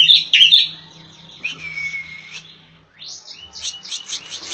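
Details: Striated grassbird, race palustris from Java, masteran tutor song: loud high whistled notes, then a long level whistle, a pause, and a fast rising series of chirps, with a faint steady low hum.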